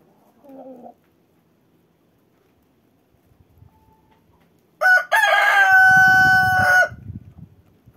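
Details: Winter crowing of a cockerel on the move: a short faint note early, then a strong, steady crow of about two seconds over low rumbling noise, tailing off with scattered soft sounds.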